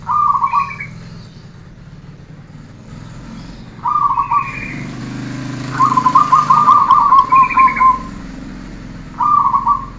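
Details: Zebra dove training recording: short trilled cooing phrases plus one longer stuttering series of notes, heard over a continuous low rumble like passing traffic.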